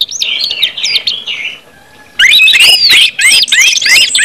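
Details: Orange-headed thrush in ngeplong song, used as a prompt for other birds: quieter looping whistles, a near-silent pause, then a loud outburst of high rising whistles and chattering notes.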